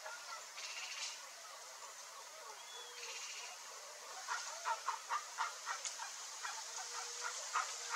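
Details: Flock of rare chestnut-bellied guans singing; faint broad notes early, then a run of short, loud, evenly spaced barking notes repeating about three or four times a second over steady background hiss.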